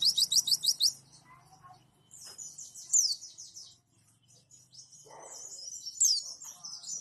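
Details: Song of a white-eye used to tutor caged white-eyes into copying other sounds: thin, very high twittering and quick descending trills in short bursts, with quieter gaps and faint low background noise.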